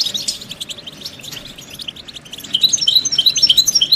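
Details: European goldfinch song meant to end a male's silence; faint, scratchy twittering gives way to a clear run of rapid, bright, evenly spaced chirped notes in the final second and a half.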